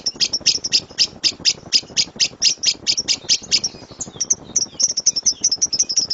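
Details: Lovebird delivering a loud 'tembakan' master song for training birds: a string of sharp, high, clipped chirps, then a faster jumble of squeaky twittering notes in the second half, over light hiss.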